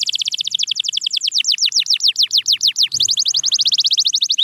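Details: Canary singing as a training sound for quiet birds: a continuous run of quick falling whistled sweeps, slowing slightly mid-phrase, then speeding into a faster, tighter trill.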